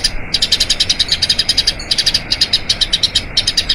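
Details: Eurasian tree sparrow in a long rolling song meant for training other birds: quick, sharp, high-pitched chirps repeated in rapid bursts, broken by two short gaps.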